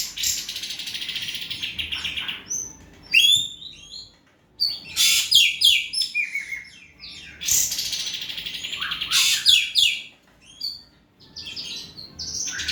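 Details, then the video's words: Energetic Asian pied starling singing to prompt a silent bird to respond: long, dense stretches of grating, chattering notes mixed with sharp whistles, broken by brief pauses and loud rasping bursts. "KICAU BURUNG EKEK KELING YG SANGAT GACOR SUARA CETAR"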